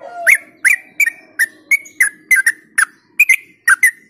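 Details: Yellow-vented bulbul, locally called trucuk, singing a lure song to stimulate other bulbuls: a steady run of about a dozen short liquid chirping notes, each swooping up and down, spaced roughly every third of a second.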